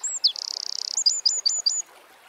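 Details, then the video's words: Wren song in the wild, Eurasian species: a fast buzzing trill held for over half a second, then a string of short high whistled notes with downward flicks, ending abruptly. "Birds Singing - Eurasian Wren"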